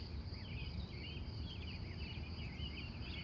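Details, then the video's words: Wild birds greeting the morning in Glendive, Montana, USA, recorded from 3:45 a.m.; a near-continuous run of rolling, wavering warbles over a persistent high insect-like tone and low rumble. "The Wild Morning Birds Of Montana"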